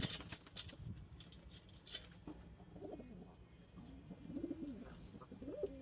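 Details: Pigeons in a loft: sharp clicks and rustling open the recording, then soft, low rolling coos that rise and fall, given in short wavering phrases one after another.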